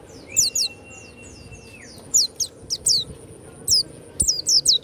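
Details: Kept warbling white-eye sings in short clusters of high, steeply falling whistled notes separated by brief silences, with a faint level tone early on.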